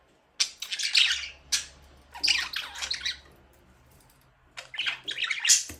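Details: Pet budgie chirping in a small room, three clusters of raspy, warbling high chirps with quiet gaps between them and a faint low hum underneath.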